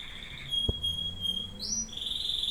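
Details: Domestic canary holding a long pure whistled tone, then jumping to a brief higher rising phrase and settling into a steady high trill, with a single sharp knock and a low hum behind.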